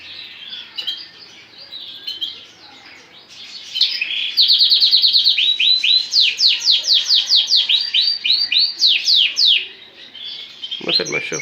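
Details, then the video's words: Lancashire canary, a full lemon-coloured male for sale, singing indoors about a metre from the camera: a quiet warble, then loud rapid trills and repeated rising sweeps, closing with a brief human voice. "كناري لونك شاير ليموني فول"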